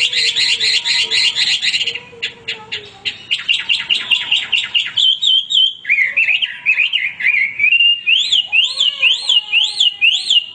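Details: Hwamei singing nonstop: a fast, rattling chatter of repeated notes, then sweet, wavering whistles and a series of evenly repeated rising and falling whistled phrases.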